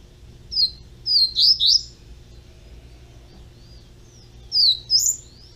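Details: Young double-collared seedeater kept in captivity sings short bursts of high looping whistles, first one note then three quick ones, later two more, with faint thin notes between and a low hum beneath.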